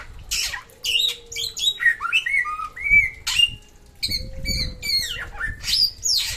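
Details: Lively samyong from NTB delivering varied whistled phrases, rising and falling slurs and sharp high notes in quick succession, with a soft steady tone in the background.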